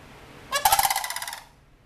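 A sandhill crane gives a single rolling, rattling bugle lasting about a second, a rapid run of a dozen throaty pulses, with quiet background.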